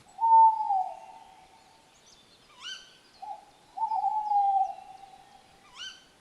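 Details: Tawny owl pair at night: the male's long, slightly wavering hoots, each answered a second or so later by the female's sharp, rising squeak, heard twice against a quiet background.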